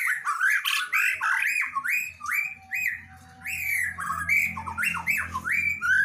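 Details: Female white-rumped shama, kept as a cage bird, singing continuously in a varied stream of loud, rich whistled phrases, slurred notes and harsh chattering bursts, with a low hum underneath.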